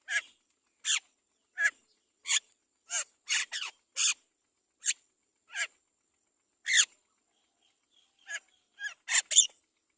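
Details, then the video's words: Great myna chick begging while the mother feeds it: repeated short, scratchy, rasping notes about one per second, becoming more rapid toward the end. "Mother bird Great myna feeds the baby carefully"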